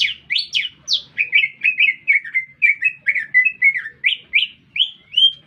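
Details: A green leafbird sings loudly in a city centre, giving rising whistled notes followed by a long string of short, evenly spaced chirps, then a few higher upslurred whistles.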